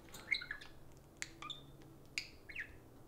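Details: Two pet parakeets take turns talking to a spoon, heard here as faint scattered squeaks and short chirps with brief rising and falling notes, spaced by quiet gaps in a small indoor room.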